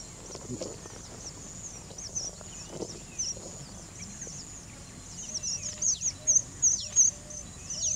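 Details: A male red avadavat gives very high, thin squeaky chirps in quick runs, growing louder and busier toward the end, over a soft outdoor murmur.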